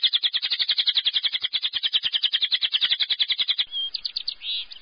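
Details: Lovebird giving a long ngekek trill, used to stimulate other lovebirds, including stressed or silent ones, to sing: a very fast, high, chattering trill sustained for over three seconds, then a few squeaky notes.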